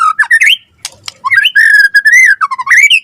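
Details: White-rumped shama singing gacor-style as a lure and master song: rising whistled slurs, a couple of sharp clicks, then a long mellow whistled phrase wavering up and down before rising again.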